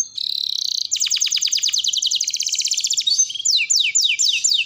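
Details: Domestic canary in long continuous song: a steady buzzy note, then fast evenly repeated clicking trills, then a series of quick descending whistled sweeps, loud and clean without background noise.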